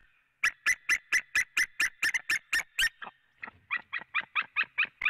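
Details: Female white-tailed eagle calling outside the nest at a Latvian nest site, 4 March 2017, 18:12: a long run of sharp yelping notes, about three per second, pausing briefly before a second, slightly softer run.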